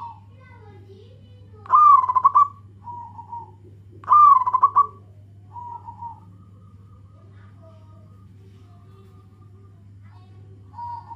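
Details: Local zebra dove calling to companions, used as a lure for other zebra doves: two loud pulsed, throaty coo phrases about two seconds apart, each followed by a softer steady hoot, over a low steady hum.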